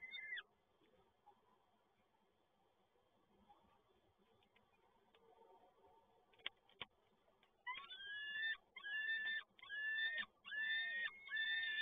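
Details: Peregrine falcon at PGE Toruń, 7 May 2022, as the male arrives with another food delivery: after a long quiet stretch with faint background noise, a run of harsh, wailing harmonic calls repeats in quick bursts with short gaps.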